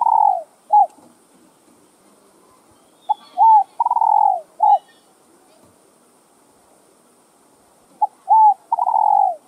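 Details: Spotted dove cooing to stimulate other doves: repeated phrases of short clipped notes, an arched coo and a long downward-sliding hoot, in three runs across the recording, with faint high ticks once in the background.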